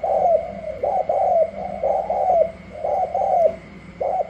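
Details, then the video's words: A wild-caught spotted dove from Cà Mau, Vietnam, contests other doves: rounded, hollow coo notes grouped in twos and threes, about one a second, over a faint electrical hum. "Chiến rừng mới về thử sức mây tàu & gù la"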